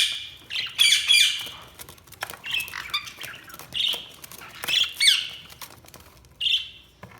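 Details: Budgies giving scattered sharp squawks and short chirps in irregular bursts separated by quieter gaps.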